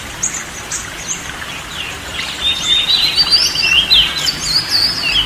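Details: Oriental magpie-robin song meant to relax a stressed or quiet bird; after a soft start, a run of bright whistled and slurred notes builds in the second half, with faint background hiss.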